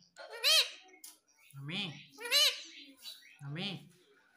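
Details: Pet parrot saying "Mummy" indoors: two high, clear, harmonic repetitions of the word alternate with a lower human voice saying the same word, four utterances in about four seconds.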